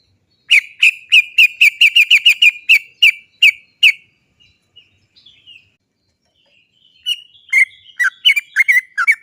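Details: Lure song of a sooty-headed bulbul, used to prompt trucuk birds to sing: a steady run of about a dozen bright repeated notes, a short pause, then a livelier broken phrase of varied rising and falling notes.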